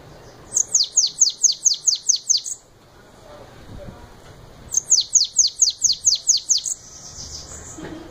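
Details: Bananaquit known as sibite singing 'belga' style: two phrases of eight to nine fast, high-pitched downward-sweeping notes, about two seconds apart. Faint background sounds fill the gaps.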